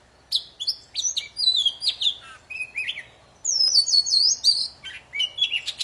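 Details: Poci in full, busy song for triggering stalled birds into singing: clear high whistled phrases and descending slurs, a brief pause, then a long warbled run with quick chips.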